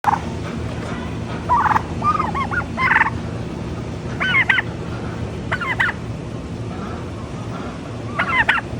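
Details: Turkey gobbling: several short bursts of rapid, rattling, warbling notes, repeated every second or two, over a steady low background hum.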